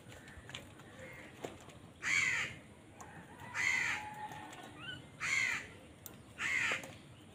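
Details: Four rough, hoarse crow caws, each about a third of a second long, come at irregular gaps as the birds fight for food, with faint chirps and taps between.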